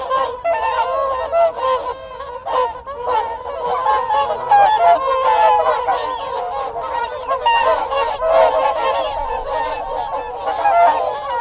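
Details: Loud, close whooper swans calling within their group, an unbroken wall of nasal trumpeting honks from many birds at once, with wigeon and Canada geese calling in the distance.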